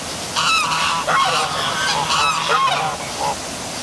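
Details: At night, by a downtown waterfall at City Hall in Milford, Connecticut, several geese (possibly ducks) honk in overlapping nasal bursts, a few each second, over a steady rush of falling water.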